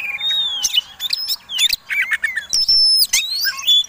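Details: Fighting-style song of an Oriental magpie-robin, a provoking lure song: loud bursts of clear descending whistles, quick upward sweeps and harsh clicks, delivered in rapid, uneven phrases with brief gaps.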